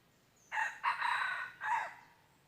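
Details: Red junglefowl, 23 January 2022, during luring of wild junglefowl: a single rough crow starting with a brief burst, continuing in a long steady stretch and ending with a separate descending tail note. The background is otherwise still.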